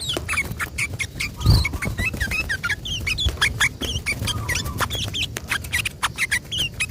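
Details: Yellow-vented bulbul in gacor 'ropel panjang' long rolling song meant to provoke other bulbuls to reply; quick bright chirps and short warbled whistles repeated continuously over low rumbling background noise, with one dull thump.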